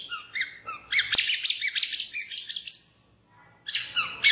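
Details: White-rumped shama singing as a lure for other birds: varied chattering notes building into a fast, loud, trilling sequence of high notes, a brief pause, then more rapid chatter.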